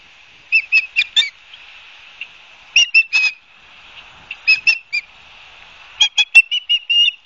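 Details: An osprey at its nest in Barnegat Light, New Jersey, recorded by a live camera on 12 September 2022 in the afternoon. It gives short bursts of three to five high, squealing whistled chirps separated by pauses, over a steady hiss.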